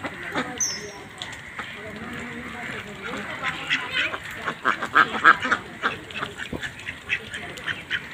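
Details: Ducks raised on a farm pond give a run of rapid, harsh quacks, loudest midway, over a busy background of murmuring voices and farmyard clatter.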